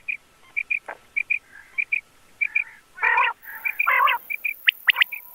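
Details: Common quail calling as a hunting lure: paired short sharp notes repeated over a faint hiss, then louder raspy bursts and a quick run of high clipped notes.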